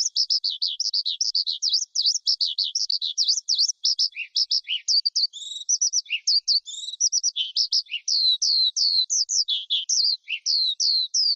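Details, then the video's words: Long, breathless skylark song: continuous high twittering and warbling with quick trills and occasional lower notes, pouring out without a break. "Tiếng Chim Sơn Ca Rừng Hót Hay Nhất"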